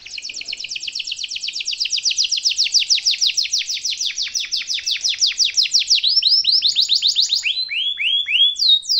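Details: Canary rolling a long song meant as a master for young birds: a fast steady trill of falling notes building in loudness, then a higher tour and several slow descending whistles.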